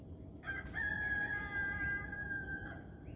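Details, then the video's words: Morning rooster at sunrise gives one strong, sustained crow of about two seconds. The crow is rich and harmonic, holding a level pitch before tailing off. A constant high cricket chirr continues beneath it. "1 Hour Of Rooster Crowing"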